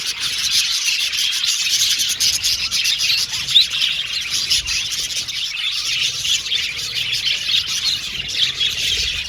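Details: Colony of budgerigars chirping and warbling in an aviary, a thick, steady high-pitched chorus with rapid tick-like notes and one louder squeaky call near the middle.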